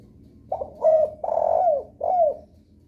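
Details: Spotted dove giving a lure call that prompts other doves to respond: four low cooing notes, short then fuller, a long rough middle note and a descending closing coo.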